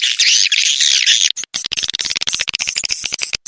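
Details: Swiftlet calls recorded in the rainy season: a thick burst of high twittering chatter, then a broken run of sharp clicking chirps in quick succession.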